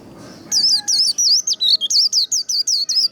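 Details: White-eye singing in the rapid 'líu đấu' style, played to rouse and train other singers: after half a second of quiet, a quick run of high, sharply swooping whistled notes, about four per second, steady and loud.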